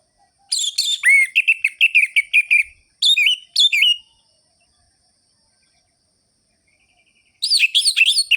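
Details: Orange-headed thrush delivering sharp, rhythmic ngerol-ngeplong song as a lure: rapid sequences of loud whistled and chattering notes, two short phrases, a long silence, then another dense whistled burst.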